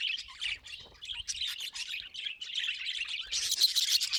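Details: Pet budgerigar chattering in a continuous, busy warble of rapid high chirps, squeaks and trills, about three notes a second, growing louder and harsher near the end, with faint low rustling beneath.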